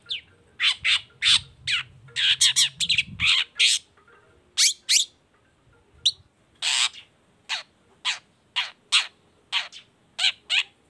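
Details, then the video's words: Long-tailed shrike (cendet baham) song meant to trigger other shrikes to sing: rapid, loud, harsh chattering notes in bursts, with a low hum early on, then evenly spaced rasping chips. "CENDET GACOR❗PANCINGAN CENDET BAHAM EFEKTIF BUNYI SANGAT COCOK BUAT CENDET LAINYA AGAR IKUTAN BUNYI"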